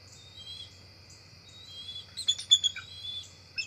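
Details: Bald eagles, two adults flying up to their nest tree just before dark on October 4, 2023, at the NCTC nest; a quiet start, then a burst of sharp, high chirps and whistled notes with some downward slurs, over a steady insect hum.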